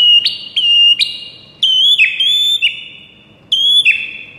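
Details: Repeated high, pure whistles from a white-rumped shama, each starting with a sharp attack and then falling slightly. They come in groups separated by short silences.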